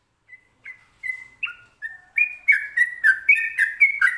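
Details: Sooty-headed bulbul in "ropelan" style song: clear two-tone whistled notes, starting soft and sparse then speeding into a rapid, steady run of bright slurred phrases, no background noise.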